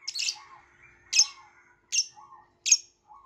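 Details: Violet lovebird chirping: four shrill, harsh bursts roughly every three-quarters of a second, with softer lower chatter between them in a quiet room.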